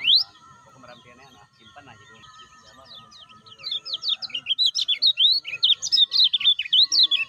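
Lemon-bellied white-eye giving a fast run of high, sweet chirps and twittering notes, building after a quiet start. Steady thin tones and faint voices sit behind it.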